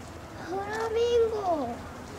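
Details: A three-day-old zoo-hatched Chilean flamingo chick, filmed 10 October 2015, gives one drawn-out, mellow cry that rises slightly, holds, then slides down, over a quiet background.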